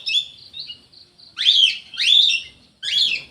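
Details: Aviary-kept orange-headed thrush in full song: a few soft high whistles, then three loud, sharp upswept phrases, each rising steeply and falling back, separated by short gaps.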